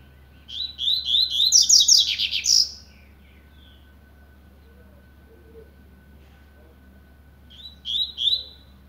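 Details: A double-collared seedeater starting to warm up in the blade style sings a fast buzzy phrase topped by high bright notes, falls silent for about five seconds, then gives two short buzzy notes.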